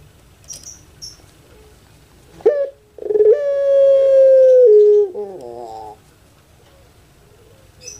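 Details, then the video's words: Javanese puter pelung dove coos: a short introductory note, a gap, then a steady drawn-out tone near two seconds that drops in steps to a rough lower ending, with faint high chirps of small birds around. "KONSER ANGGUNGAN PUTER PELUNG"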